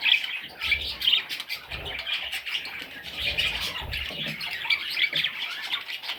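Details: Young parrots squawk and chatter in an unbroken, scratchy high-pitched babble, many voices overlapping, with a few soft low knocks.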